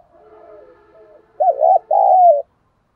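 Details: Spotted dove cooing in the thúc gù style to lure and provoke wild birds: soft, faint wavering coos first, then two loud, close, warbling coo notes in quick succession. Silence follows.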